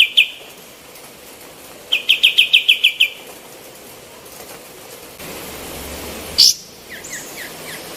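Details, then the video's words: Female olive-winged bulbul singing, intended to teach other birds: a short note, then a quick trill of about seven chips, a quiet stretch, one sharp high note and a few softer falling notes at the end. "KAPAS TEMBAK BETINA GACOR MASTERAN"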